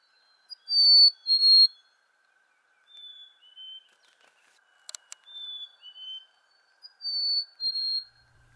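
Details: A territorial male chickadee in northern woods in June 2020 gives his 'hey sweetie' call: clear whistles, a high note dropping to a lower one, sometimes ending in a quick double note, repeated every few seconds. A neighbouring male sang back and forth with him.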